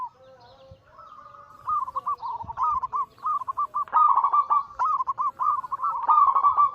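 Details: Zebra doves, Bangkok local crossed with cemani katuranggan silver, in group anggungan song meant to excite other doves into singing. A soft start builds into continuous, overlapping rapid coo rolls.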